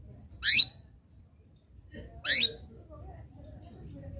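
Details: Canary chirps used to call rivals into song: a pair of short, high, upward-swept notes about two seconds apart, with faint background rustling.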